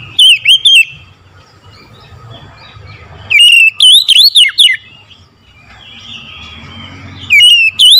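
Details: Oriental magpie-robin song in the morning, delivered as three bursts of rapid, ringing whistled notes with twisting rising and falling slurs, separated by quiet stretches of faint low background rumble.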